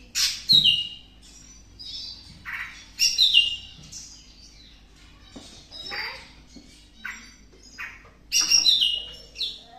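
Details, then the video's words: Greater green leafbird eager to mate, in breeding condition, delivering loud, separated bursts of sharp chirps and whistled notes every couple of seconds, with quieter gaps between phrases. "Cucak Hijau masih minta kawin"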